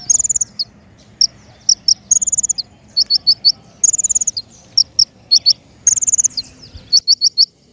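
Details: Bird-trapping lure of king konin song: high rattling trills followed by clipped chirps in pairs and triplets, phrases recurring every couple of seconds against quiet low noise.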